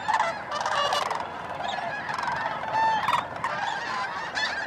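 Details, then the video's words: Large gathering of snow geese, Bosque del Apache National Wildlife Refuge, December 12–13, 2009, around dusk or dawn: loud, harsh honks pile over one another, with a few clearer individual yelps standing out above the din. "Snow Geese Sunset and Sunrise"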